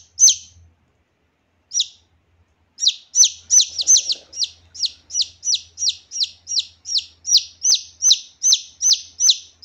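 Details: Red junglefowl chick calls used as a lure for wild junglefowl: loud, high, thin notes that drop quickly in pitch, repeated almost three times a second after a few scattered opening calls.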